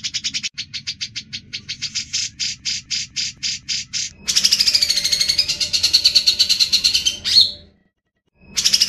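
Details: Grey-cheeked bulbul song in the 'ngebren' style. It opens with a quick series of separate high chirps, then turns into a harsher, denser chatter, breaks off, and starts again at the end.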